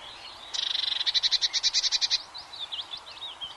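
Eurasian blue tit song: a high, thin, rapid run of notes, then about a dozen clear repeated notes in quick succession, trailing into softer wavering twitters.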